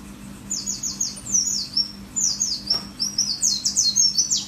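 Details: Merapi mountain white-eye in full song, delivering quick high-pitched 'wit wit wit' strings of downslurred whistles, repeated in several rapid runs over a faint background hum.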